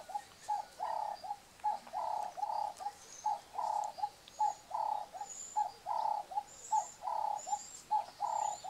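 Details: Nesting red-billed hornbills, the female sealed inside a tree hole and fed by her mate through a narrow slit. Regular run of hollow clucks, a short note then a longer one, about one per second, with faint thin chirps from other birds.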